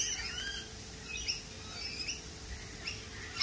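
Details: Lorikeets at a cafe, giving harsh, screechy squawks and high chattering notes that overlap through the whole stretch, with no pause in the calling.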